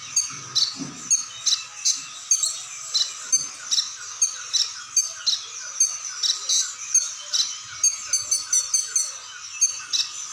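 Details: Brown-throated ninja hummingbird singing in full form with varied phrases; a long series of high, sharp squeaky chips repeated about twice a second, some closely doubled, over a steady high ringing background.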